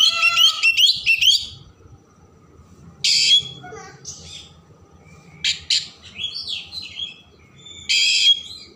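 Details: Vigorous Oriental magpie-robin song with rich varied content, used to excite other birds into spreading their tails. Quick rising whistled trill, then separated loud harsh bursts and descending whistles with quiet gaps between phrases.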